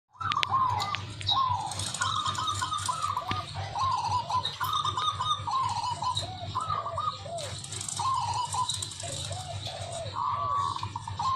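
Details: Zebra dove song played for luring birds: short mellow cooing phrases of quick repeated notes, each dropping lower at the end, given again every second or so over a steady hiss and low hum.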